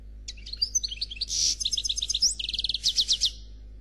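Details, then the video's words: Khalwi-style song from a European goldfinch ('Noir'), described as faultless: high liquid twitters, a short buzz, then rapid rhythmic series of bright notes about four per second, steady low hum beneath. "Chardonneret Noir Khalwi Chant sans fautes"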